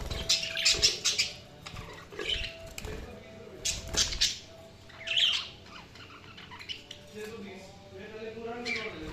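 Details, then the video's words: Budgies chattering with scratchy chirps and squawks in bursts, separated by quieter pauses, with soft background noise and a low murmur near the end. "Budgies Sounds| Budgies Chirping sound"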